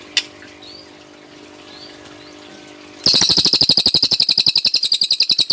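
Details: Cililin bursting into its tembakan song after a quiet stretch: a long, rapid, machine-gun trill of high, bright, clipped notes, about nine or ten each second.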